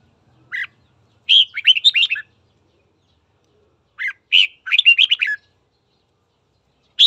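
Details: Red-whiskered bulbul morning song used to stir up fighting: phrases repeated about every three seconds, each a brief lead-in note followed by a fast string of bright, slurred whistles, with clean silence between phrases.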